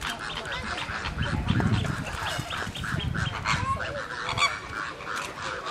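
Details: Magpie goose calling at Slimbridge: a run of loud, nasal honks repeated roughly twice a second, with a brief low rumble midway and other waterfowl calling faintly behind.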